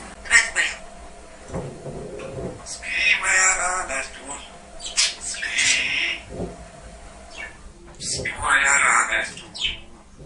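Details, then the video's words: Pet parrot singing songs on request, with a woman coaxing it in Russian; bright, raspy voice-like phrases with strong high overtones come in bursts around the third and eighth seconds, between quieter speech and room noise. "Papagei singt die Lieder"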